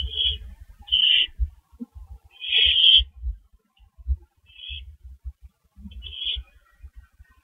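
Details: Owls at a porch and doorway at 3:16 AM on April 19, 2012: five harsh, hissing, high-pitched screeches of uneven length at irregular intervals, with low thumping and scuffling noises throughout.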